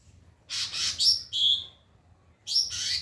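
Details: A white-rumped shama sings a training phrase for other birds: a broad raspy burst sliding into a bright falling whistle, a clear lower whistled note, a pause, then another rasping sweep.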